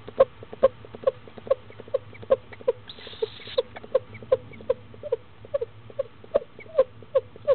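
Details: Newly hatched barred owlet in Florida, 19 February 2015, hatched about 6am and eating its second meal at 10am; soft short chirps repeated about twice a second in a steady series over a low hum, with a brief noisy burst midway.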